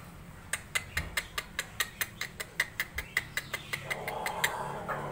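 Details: A laughing chicken call used as a lure gives a rapid, even run of about twenty sharp staccato notes, roughly five per second, over a low engine-like hum.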